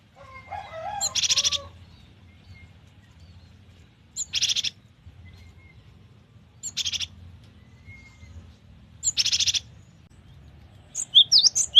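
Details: Cinereous tit in full, varied song for tutoring, luring, therapy and trapping: a few lower whistled notes open, then harsh, broad, buzzy bursts repeat about every two to three seconds over a faint low hum.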